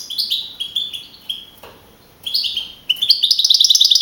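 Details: Wild-type European goldfinch, a young male, first-placed in a songbird contest in Navalcarnero, Madrid, April 2012; bright twittering song of short high notes and slurred phrases in bursts, a brief pause, then a rapid tinkling run.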